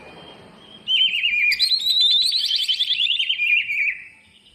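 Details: Full isian song of a greater green leafbird, played to prompt lazy birds to sing. Rapid zigzag trills begin at once, then a long buzzy rattling run slowly descends before fading.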